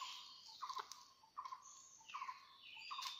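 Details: Red junglefowl clucking in rocky mountain country during a trapping session on 17 March 2019. Short mid-pitched notes come in quick groups of two or three, repeated about every three-quarters of a second, over a steady high insect-like hiss.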